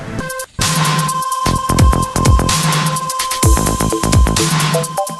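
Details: Loud electronic music with throbbing bass, drum beats and synth tones, and no animal sounds.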